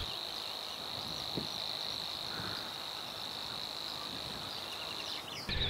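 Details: Savi's warbler, a reed bird singing in spring in the Netherlands, reeling: a steady, insect-like buzzing trill held unbroken at one high pitch for over five seconds, over faint background hiss.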